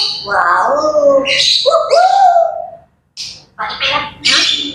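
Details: Grey parrots in a morning chattering session: a sliding whistled note and warbling tones, then a pause and several short, scratchy chirps and squawks.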